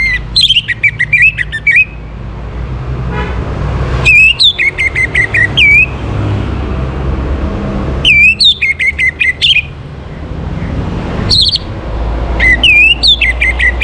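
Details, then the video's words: Orange-headed thrush morning song meant to bring birds into breeding condition: loud phrases of whistled upslurred notes followed by quick repeated chips, given in bouts about every four seconds over a low rumbling background. "Naikan Birahi ANIS MERAH pancingan PAGI HARI"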